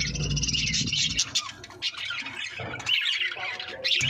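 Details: Breeding budgerigars with babies chatter in scratchy, high squawks and warbles, with music playing underneath.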